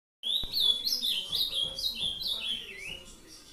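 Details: Captive ultramarine grosbeak from a Brazilian breeder singing the 'doce amargo' song style; a clear, whistled phrase of sliding notes, each step dropping lower in a descending sequence over three seconds, with a click at the start.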